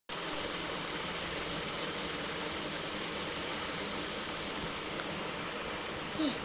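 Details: Constant even hiss like rushing water or engine noise throughout, with no animal calls.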